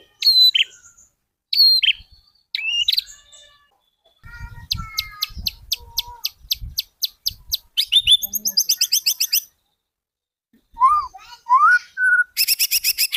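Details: White-rumped shama master song for copying, a varied sequence of scattered chirps, a run of evenly spaced thin ticking notes, a rattling trill, then low slurred whistles and a final buzzy burst.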